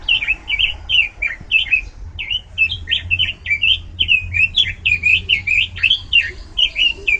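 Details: Oriental magpie-robin, a songbird in fine singing form, delivering a loud, varied song: a rapid run of short, bright whistled and slurred notes, many rising or falling, repeated in close succession without pause.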